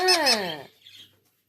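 An Indian ringneck parakeet utters a single quick, voice-like word that slides downward in pitch, with a scratchy, reedy edge, followed by a faint rustle in a quiet room.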